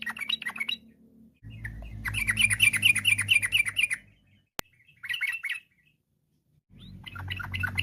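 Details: Yellow-vented bulbul singing fast rolling phrases to set off other bulbuls: several bursts of quick, evenly repeated bubbly notes separated by pauses, over a low background drone, with one sharp click.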